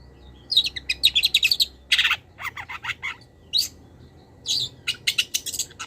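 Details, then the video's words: Long-tailed shrike master song packed with wild-bird fill-ins for training cage birds. A quick run of evenly spaced high chips opens, followed by harsher buzzy notes and scattered twittering bursts. "PENTET GACOR - MASTERAN PENTET FULL ISIAN BURUNG LIAR"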